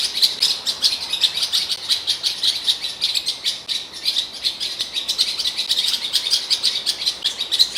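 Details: A Eurasian blackcap in Morocco sings its song, recorded about 3 metres away: a busy, unbroken run of quick, high chirping and warbling notes, several each second, with nothing else heard.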